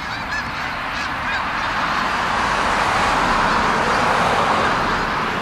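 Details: Canada geese in the fall at South Utica Reservoir, New York, November; clear harmonic honks ring out early, followed by a dense, continuous rush of noise from the gathered flock.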